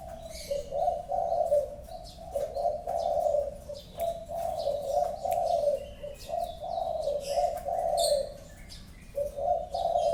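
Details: Prized spotted dove calling steadily: low, hollow cooing phrases repeated back to back, each a short lead note then drawn-out wavering coos, with scattered high chirps from other birds.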